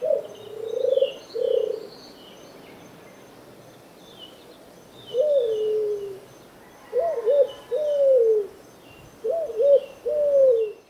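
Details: A turtle dove gives low, soft coos in short rolling phrases, often doubled, every few seconds, with faint high chirps from other birds behind.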